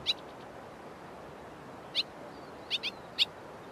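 White-throated Swallow giving short, sharp high chips, singly and in quick pairs, a few times over four seconds against a soft background hiss.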